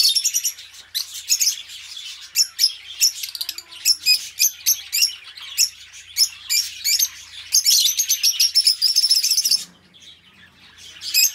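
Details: A pair of pet budgerigars sings a continuous stream of busy, twittering chirps and rasping notes. A sudden pause near the end is followed by a fresh burst of chatter.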